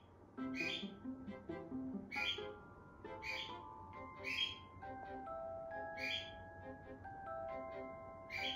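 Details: A cockatiel in the background cries with harsh, raspy squawks about every second while a zebra finch sleeps in front, over steady background music.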